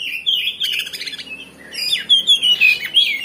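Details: Lively kacer song used to rouse another oriental magpie-robin's emotions so it answers and shows its fighting spirit: rapid chattering sequence of whistled, sliding notes repeated about three times a second.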